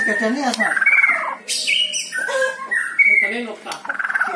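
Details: White-rumped shama song to coax a reluctant singer: alternating whistled notes and harsh buzzy bursts, a clear high whistle repeated twice, with a quick trill at the end.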